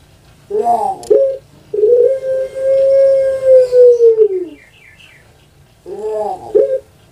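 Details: Puter pelung dove kept in Indonesia, famed on Java for its long voice: rolling, bubbling notes lead into a sustained coo of nearly three seconds that drops away, then the rolling notes return.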